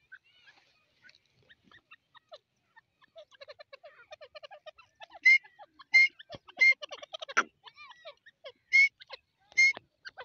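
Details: Grey francolin (Dakni teeter) calling: loud, ringing harmonic notes repeated about every second in the second half, over many soft, quick chirping notes from other small birds.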